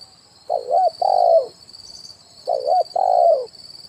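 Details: Spotted dove decoy call, the "kuk 1" style, used to lure wild birds: two mellow, low coo phrases, each a wavering double note followed by a longer hooting note, over a steady high insect-like drone.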